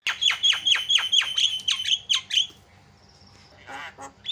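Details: Javan myna in lively full song, used to get other mynas chattering: a fast series of about ten harsh, downward-sweeping notes, roughly five a second, then a short thin whistle and a rasping burst.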